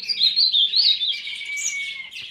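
An ultramarine grosbeak sings a quick run of sweet, warbled notes, then holds a long, level whistle that fades out.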